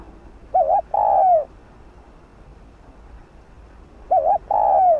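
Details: Spotted dove in the bowing 'gù' style, used to stimulate decoy and fresh-caught birds: two evenly spaced phrases, a quick double-wavering note leading into a sustained, gently descending coo, over quiet background hiss.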